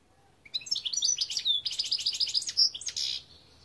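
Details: Goldfinch song from 2021, a fast, jumbled run of bright chirps and tinkling twitters with short buzzy trills, delivered in one continuous burst of about three seconds against a quiet background.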